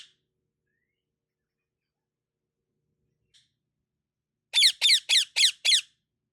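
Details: Parrot chirping, given with kisses; after long quiet, five quick harsh chirps in an even row, each sliding down, about one every quarter second, in a quiet indoor room.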